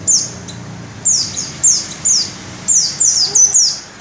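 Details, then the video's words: Shrill rolling song of a pleci dakun ngalas white-eye, beak open: piercing high notes sweeping downward, grouped in brief runs of two or three separated by short pauses, very clean against a quiet low rumble. "Burung pleci dakun ngalas ngerol buka paruh volume semelit"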